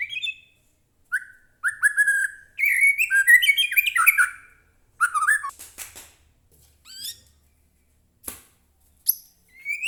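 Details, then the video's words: Captive white-rumped shama (murai batu) song meant to provoke another bird into singing: dense bursts of whistled and chattering notes, followed by sparse sharp clicks and short rising whistles. "murai batu gacor AMPUH buat pancingan murai batu agar bunyi"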